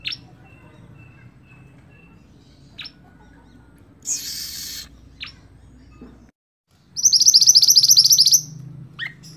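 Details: Scarlet-backed flowerpecker used as a tutor for songbirds: scattered thin, high chips and a brief rushing noise, then one fast, high, shimmering trill near the end.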